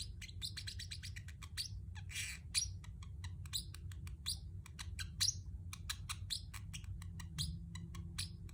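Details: Chirping pet Pacific parrotlet: dense, fast run of bright short chirps, some with a downward slur, plus one brief scratchy burst, low hum behind.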